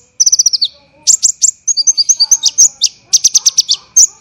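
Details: Olive-backed sunbird (kolibri ninja) singing a training recording for songbirds, described as dense, rough bursts. It opens with a fast falling run of high thin notes, then sharp, clipped chips in tight rapid bursts with brief gaps. No other sounds.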